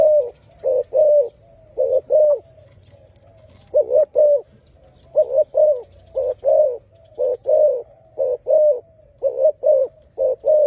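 Spotted dove cooing in soft, hollow, low notes, given in short rhythmic phrases of two or three coos, repeated steadily through the recording.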